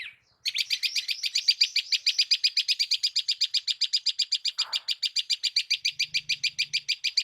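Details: Bird chirping on a village morning in India: a steady, rapid series of high, buzzy, even notes, about four each second, running without a break, with a faint low sound near the end.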